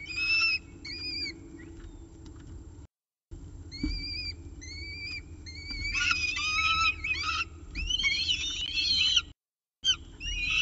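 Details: Wild Peregrine falcon at its nest at CSU Orange, 24 October 2018, 7:59 am, with a pigeon for breakfast. Short paired whistled notes repeat at first. Then come denser, harsh, harmonic wailing calls with rising and falling slurs. Brief silent gaps break the sound.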